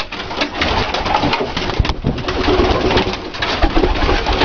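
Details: Domestic pigeons of breeds other than the Dalıcı (diving) breed, indoors; low soft cooing notes repeating beneath heavy, constant room and rustling noise.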